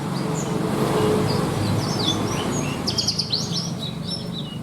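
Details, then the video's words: Javan bush lark (branjangan) with a song packed with learned 'isian' phrases for bird contests: scattered whistled slurs, then a dense burst of rapid high ticks and sweeping notes, over low background noise. "BRANJANGAN ISIAN MEWAH"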